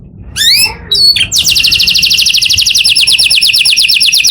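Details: Canary singing in the morning: some high chirps, then a sustained fast trill of repeated, steeply descending notes at an even pace.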